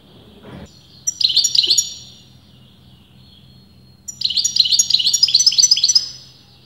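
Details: A European goldfinch of disputed sex sings a short jingling twitter, falls quiet for about two seconds, then launches into a longer rapid run of bright chirps. A low steady hum continues throughout.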